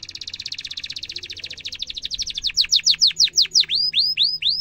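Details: Energetic canary singing, meant as a lure for young canaries to copy: a long rapid rolling trill that builds into loud, slower downswept chirps and ends in arched whistled notes.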